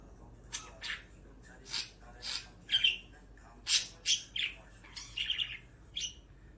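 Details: A budgerigar at night gives a run of scratchy, buzzy chirps and warbles in short, irregular bursts.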